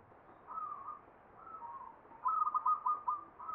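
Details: Zebra dove (perkutut) singing ngepat to the Mataram Jogja standard: two soft, faint coo phrases, then a louder bouncing run of quick notes starting past the two-second mark.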